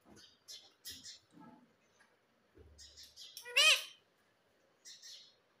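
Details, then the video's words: Pet rose-ringed parakeet in talking training: scattered high chirps, then one loud harmonic, arching word-like call near the middle, followed by faint squeaky notes. "Parrot Talking traning video _ मिट्ठू की आवाज बहुत प्यारी है"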